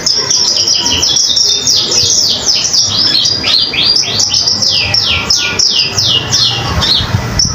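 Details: Common iora singing steadily, kept as a tutor for other songbirds such as magpie robins: rapid, tightly packed series of high, sharply down-slurred chip notes that run on almost without pause, over a low background hum.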